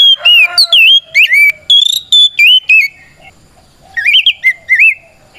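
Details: White-rumped shama delivering a challenging fighting song to goad other shamas; clear whistled notes with rising and falling slurs, fast stacked high chips, then a softer run of wavering whistles.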